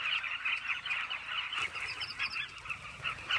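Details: Crowded cliff colony of Carmine bee-eaters giving a steady wash of quick, burry, overlapping calls, rising and falling in loudness every fraction of a second, a few sharper high notes scattered through.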